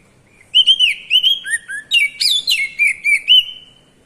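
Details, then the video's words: Kacer, the Oriental magpie-robin, in open, clear ngeplong singing: a rapid run of about a dozen bright whistled and warbled notes, some dipping lower, others sharply upslurred, all within three seconds, ending on a held whistle. "Cier..cier..suara burung kacer ngeplong efektif membantu kacer bahan jadi bunyi!"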